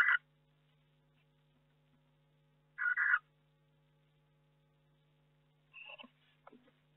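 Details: Barn owl in a nest box during May, with two eggs yet to hatch: two short, breathy hissing bursts several seconds apart. Faint scratching and a few soft squeaky sounds follow near the end.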